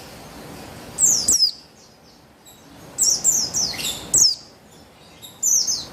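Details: High, sharp descending chirps from a female buxtoni white-eye, played to coax male birds into full song. Notes come in tight groups of two to four, separated by quiet gaps of about a second over faint background hiss.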